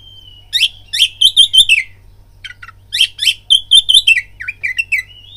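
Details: Oriental magpie-robin lure song aimed at provoking fights: a thin whistle, then dense clusters of rapid chattering, whistled notes, paused, then another fast varied phrase with falling slurs.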